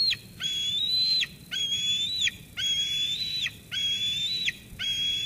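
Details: Eaglet at Sauces Canyon, 13 June 2021, squeeing at its mother after she brings food, continuing until she leaves. Long, high whistled squeals that rise slightly and end in a sharp downward flick, repeated about once a second, five heard.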